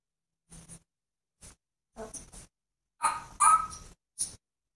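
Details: African grey parrot imitating animal sounds, here dog-like noises: short scattered huffs and whimpers, then a louder burst of rough barking tones near the three-second mark and a final short yip.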